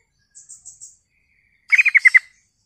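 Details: Lure song of a sooty-headed bulbul, meant to make other bulbuls answer and get agitated. Four faint, thin, very high chips open, then a fast rolling string of six bright, bubbly notes.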